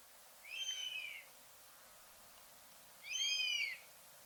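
A buzzard gives two drawn-out, high mewing calls that slur downward, spaced about two and a half seconds apart against a quiet background.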